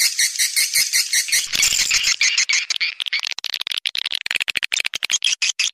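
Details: Swiftlet call meant to attract swiftlets: dense high squawking chatter that breaks into quick, evenly pulsed clicking bursts, rapid and insistent throughout.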